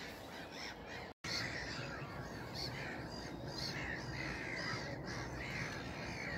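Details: Distant black-headed gulls on a misty morning give a steady chorus of harsh, squawking calls over a constant background roar, with a brief gap near the start.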